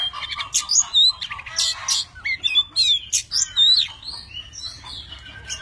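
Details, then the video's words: Oriental magpie-robin, a tame bird, singing with varied voices as it fans its wings and tail; loud bursts of harsh scratchy notes alternate with clear piercing whistles, repeated about every half second. "Chim chích chòe than thuần, hót múa cực hay"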